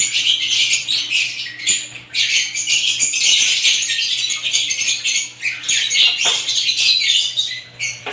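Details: Assorted lovebirds keep up a continuous, sharp, high-pitched twittering, many thin chirps piling on top of each other with a faint low hum in the background.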